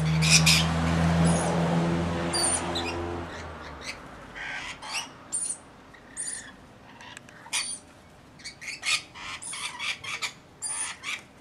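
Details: Flock of about 40 Rainbow Lorikeets looking after a single baby, during winter. Harsh, screechy squawks in short bursts, loud low rumble at the start, then scattered calls repeated irregularly.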